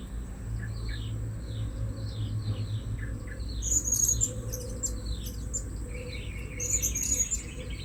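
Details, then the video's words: Blue-crowned hanging parrot calling while birds are lured at a new site. Faint high chirps come first, then louder sharp squeaky clusters near the middle and end, over low background hum. "Memikat Burung Serindit Di Port Yang Baru"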